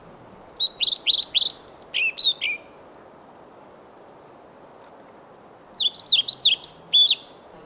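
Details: Male European pied flycatcher singing to a listening female in Sweden: two bursts of high, sweet chirped notes, each about two seconds of six to eight quick ringing syllables, separated by a three-second pause, over faint low background noise.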